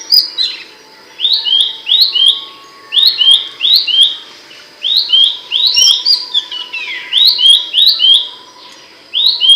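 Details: Song of Abbott's babbler, loud and sharp, used to train songbirds: clusters of two to four bright downward-swept chirps separated by short silences, with a drawn-out slurred phrase near the middle.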